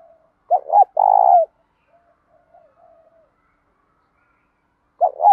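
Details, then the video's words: Trained spotted dove singing to provoke rival doves: a quick double coo and a long buzzy, level coo, a pause with faint murmurs, then another double coo starting at the end. "cu gáy thúc dút cực chuẩn, giọng đồng pha tí thổ, đẹp mã hót cũng hay"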